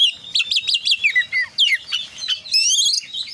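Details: Oriental magpie-robin singing actively in the 'full isian' style: a quick series of about five repeated rising-falling whistled notes, then slurred downward phrases and a high, thin trilled ending.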